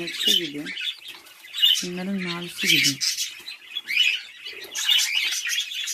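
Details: Indoor flock of home-bred budgerigars twittering in quick, high, scratchy bursts with occasional sharp squeaks. Short bits of human speech break in during the first three seconds.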